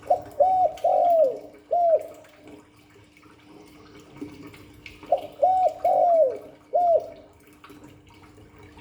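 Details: Two full spotted dove phrases, 'Hạp Bổi' voice: a short coo, another, a long downslurring hoot, then a detached final arched coo, the pattern repeating after about five seconds over light background noise.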